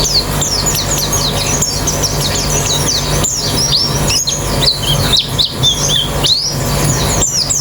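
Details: White-eye colony chorus meant as singing therapy for an open-beaked song: rapid bursts of sharp, high twittering notes from several birds crowd together almost without pause, with a constant low droning hum underneath.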